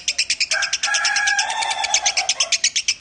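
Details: Piala Raja nominee lovebird singing in the Minor style. Quick, high, pulsed notes repeat throughout, joined from about half a second to two and a half seconds by a sustained, squealing, tonal note running beneath them.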